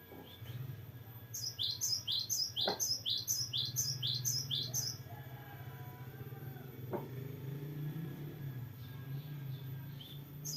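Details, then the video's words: Chatty gelatik batu, a cinereous tit, performing a long varied roll: roughly fifteen fast, high, downward-sliding double whistles for about four seconds, with clicks and a steady low hum, then only faint background. "GELATIK BATU GACOR NGEROLL PANJANG BERVARIASI"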